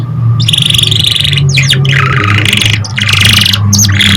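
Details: Canary song played to stimulate young canaries to start singing and to revive stressed or lazy birds. Loud, continuous rapid trills and rattling phrases, with brief sweeping notes between rolls, over a constant low hum.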